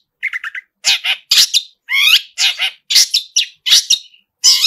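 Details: Pentet, or long-tailed shrike, in vigorous song packed with mimicked phrases. A soft, stuttering trill opens, followed by loud, rasping, varied bursts separated by brief pauses.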